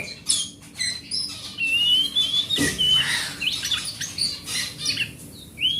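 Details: Oriental magpie-robin of forest stock, sung as a lure for quiet magpie-robins: a long thin rising whistle, harsh squawky bursts and scratchy chatter, ending with a bright upslurred note.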